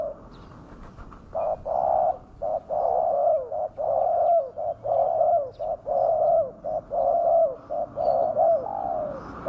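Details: Spotted dove used as a lure to draw wild doves down, giving a fierce, continuous run of mellow mid-pitched coos, phrases running almost back to back with slight downward inflections at their ends, about one a second.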